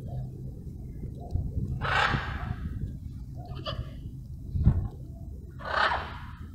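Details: Wild blue-and-yellow macaws relaxing at sunset on a dark cloudy evening: two harsh, raspy squawks about four seconds apart, each about half a second long, over a steady low rumble of wind.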